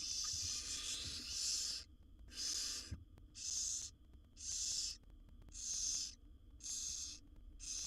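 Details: Seven wild barn owl nestlings in a nest box beg for food from their mother; one long rasping hiss of nearly two seconds, then six shorter snore-like hisses at a regular pace about every second.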